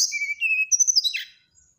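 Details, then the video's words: Brown-chested jungle flycatcher phrase: a steady mid-high whistle held half a second, then a burst of quick very high notes ending in a downward buzzy sweep. "SATU SATU NYA SRDC NYULING BIKIN EMOSI SRDC TETANGGA,SIKATAN RIMBA DADA COKLAT"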